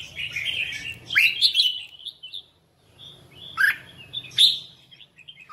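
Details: Red-whiskered bulbul singing in competition as voice training: two bursts of bright, chattering warbled phrases with rising whistled notes, separated by a short pause.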